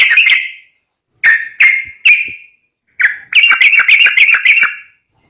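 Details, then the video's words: Yellow-vented bulbul song suited for drawing young birds. An opening chirp, three spaced slurred notes, one more note, then a quick bubbling string of rising and falling chirps. "COCOK BUAT PANCING BURUNG TRUCUK MUDA"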